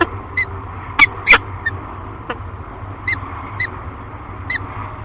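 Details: Peregrine falcon pair at their Great Spirit Bluff nest, 13 March 2022, captured on a nest camera. Brief, ringing chup notes with bright overtones come in uneven series, a few louder and scratchier, against constant low rumbling background noise.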